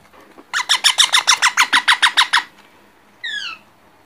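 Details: Baby parrot in a rapid burst of about twelve raspy, grating squawks over two seconds, followed after a pause by one clear descending whistle.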